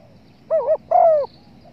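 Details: Spotted dove lure call for bird hunting: one short quavering coo followed by a longer, steady, slightly falling coo, low and soft, over a faint hiss.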